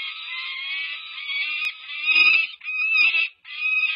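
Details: Peregrine falcon chicks over five weeks old, filmed by nest camera at UC Berkeley on 18 May 2023 near fledging, begging loudly as an adult female feeds them: harsh, harmonic wailing screams, sustained and overlapping, with brief pauses between bursts.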